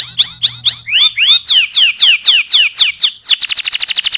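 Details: Canary in energetic song used as a tutor for other birds: rapid tours of repeated downswept whistled notes, shifting into a fast high buzzy trill near the end.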